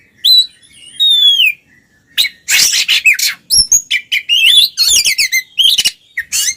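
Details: Paired Oriental magpie-robins in ngeplong song, played to get mute magpie-robins singing: two long sliding whistles open, a short hush, then a dense stream of harsh rasps and warbled notes.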